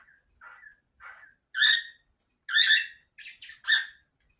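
A cockatiel gives a run of short chirps and loud, harsh whistled squawks, about one each second.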